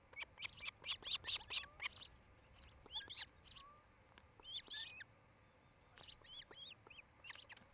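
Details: Nesting osprey pair, Charlo, Montana, camera at the nest, July 8, 2018, around 5 pm, mating season: a fast rhythmic series of sharp chirps, later a few slurred whistles, over background hiss.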